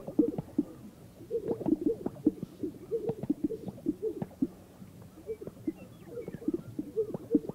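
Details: Several greater sage-grouse displaying in mating rituals on an old lek amid sagebrush in North Park, Colorado, morning; repeated low bubbling pops and gulping notes from overlapping males, with quick swishes and a few thin higher chirps in the background.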